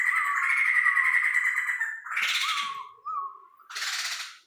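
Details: Tame Sumatran laughingthrush sings: a long grating chatter, then a loud harsh burst, a clear rising-falling whistle, and another rasping outburst.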